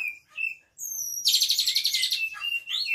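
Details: Caged Asian pied starling, singing by itself with Cililin imitations such as canary: a few whistled notes, a high sweeping whistle, then a fast buzzing canary-like trill running into sliding whistles.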